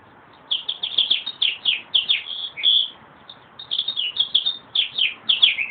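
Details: A meadowlark singing repeated bursts of quick, slurred, fluty notes, with two runs of phrases separated by a short pause. A faint hiss runs underneath.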